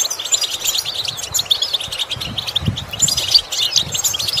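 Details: European goldfinch song used for training birds to imitate sounds: fast, bright twittering of short high chirps and trills, continuous throughout, with soft low thumps in the background.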